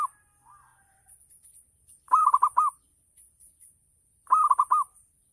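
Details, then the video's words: Local zebra dove song used to trigger other perkutut into singing: two loud phrases of rapid, rippling coo notes, each closing on a held note, with soft fainter coos beforehand and between. "Gacor Perkutut Lokal || Pancingan Full Ngayer Perangsang Nyaut Bunyi"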